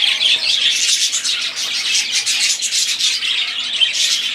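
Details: Budgerigars in full chorus, a steady wash of rapid, scratchy, high-pitched warbles and twittering squawks layered over one another without a break.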